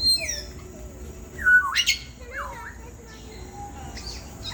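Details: African grey parrot at Columbus Zoo's Congo Expedition exhibit: a loud, harsh, downward-sweeping squawk near the middle, followed by a shorter bent squawk. Fainter whistles and chirps from other birds sound around it over steady background hum.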